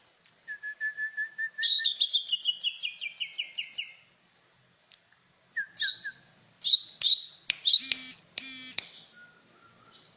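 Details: Clear cucak ijo song: a steady whistled note leading into a long, falling series of rhythmic chirps, then varied whistles, slurred notes and buzzy, rattling bursts.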